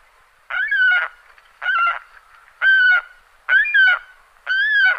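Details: Repeated harsh, nasal cries from an adult Saker falcon, five calls at steady intervals near one per second, some with a slight break or doubled onset, no other sounds.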